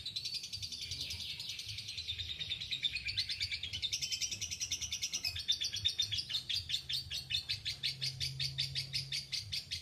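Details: Lovebird giving its long ngekek chatter: a rapid, continuous run of harsh, buzzy high chirps, about three per second, rising and falling in pitch over ten seconds with steady low background hum.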